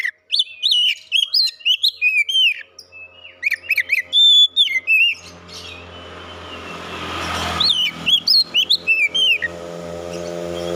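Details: Oriental magpie-robin ranked first at a singing competition: energetic bursts of sharp whistled and slurred notes, while a rising engine drone from passing traffic builds up and partly covers the second half.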